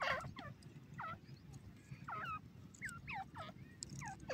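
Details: Grey francolin, known locally as dakhni teetar, giving a series of hoarse, hooked calls that sweep down then up, repeated in quick bursts about every half second over a low rumbling background hum.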